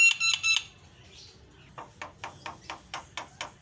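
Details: Energetic Javan myna song meant to trigger silent birds: a few loud buzzy metallic bursts, a brief hush, then evenly spaced dry, scratchy chack notes about four per second.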